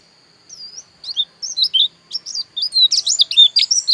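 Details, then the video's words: White-eye known as dakun bali, Pupuan, Bali, starting with scattered high slurred whistles that quicken into a dense, jumbled burst of shrill chirps. "Suara Pleci Dakun Bali Pupuan"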